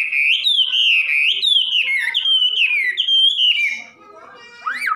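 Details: Wambi, a songbird kept by bird-song fans in Indonesia and known for its very loud voice, singing a loud run of clear whistled phrases, each rising then dropping, repeated rapidly for about four seconds before a final upswept note.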